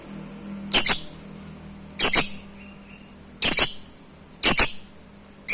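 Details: Pet lovebird kept at home: harsh, noisy double squawks, each burst about a quarter second, repeated roughly every second with quiet gaps and a faint low hum underneath.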